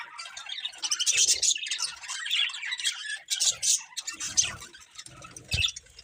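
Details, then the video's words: Several budgerigars chirping indoors; busy, overlapping high warbles and chattering squeaks in uneven bursts, with a short low thump near the end. "Adorable Budgies Chirping Sounds"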